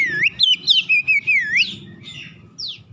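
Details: Magpie-robin song used as a lure to get other birds singing: loud whistled notes sweeping up and down around the mid-high range, several clear phrases in quick succession in the first second and a half, then fainter trailing notes.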